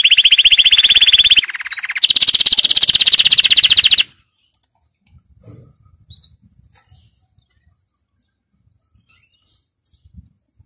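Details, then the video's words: Canary training song that opens with four seconds of loud, fast, rolling trill, broken by one brief pause. A quiet stretch follows with only faint, scattered chirps and soft low sounds. "Canary 's most powerful song for training"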